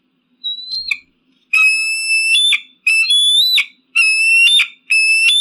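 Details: Eagle screaming to scare off pigeons and crows: a short thin whistle, then four loud ringing screams about a second each, steady in pitch with an upward flick at the end, almost back to back.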